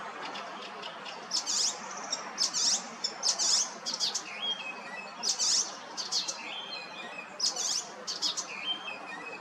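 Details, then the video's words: An icterine warbler sings in a tree by a school building in Hrodna, western Belarus, in early June: a busy run of sharp, high chirps about every second, mixed with short fluty whistles, over steady rustling hiss. "Icterine warbler singing"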